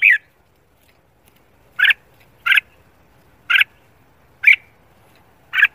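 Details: Red-whiskered bulbul during morning song training for competition: harsh chirped notes repeated at irregular gaps of about one second, six in all.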